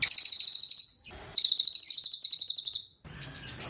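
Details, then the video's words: Cililin song: long, shrill, very high trills of rapidly repeated pulsed notes, broken by short pauses filled with faint rustling. "Suaranyaaa ~~~ #cililin"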